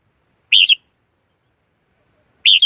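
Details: Decoy Red-whiskered bulbul in a lure recording meant to draw wild birds for trapping: two rich, rolling warbled phrases about two seconds apart in otherwise clean silence.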